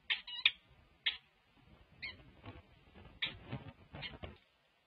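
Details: A new male peregrine falcon in a nest box on the morning of December 16, 2022, scraping enthusiastically, gives short, sharp, clipped chips, about seven in five seconds, irregularly spaced, over soft scratching and scraping sounds.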